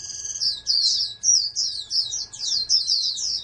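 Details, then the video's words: Oriental white-eye kept in captivity as a prospective national champion singer, pouring out a bright, very high, rapid twittering song of tumbling slurred notes in close succession, with faint background hum. "TERNAK BURUNG PLECI CALON JUARA NASIONAL"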